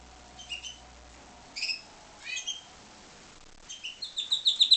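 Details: Pied Timbrado canary, captive-bred, singing scattered high chirps in short bursts, then breaking into a quickening rolled trill of bright repeated notes at the end.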